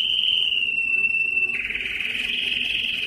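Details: A yellow canary sings a long even whistled trill that shifts into a slightly higher, buzzier rolling note.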